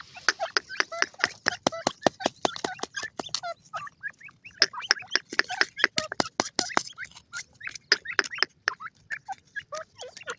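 A francolin gives rapid, harsh, clicking notes mixed with short chirps, repeated several times a second.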